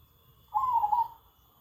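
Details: One brief warbling coo from a zebra dove, a bird said to sing nonstop all day even close to people, over a quiet low background.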